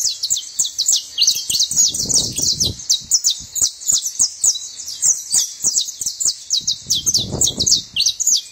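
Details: Continuous high, chippy singing from a saffron finch, crisp short notes packed closely together in an energetic chatter, with two low rumbling handling noises and faint clicks behind it.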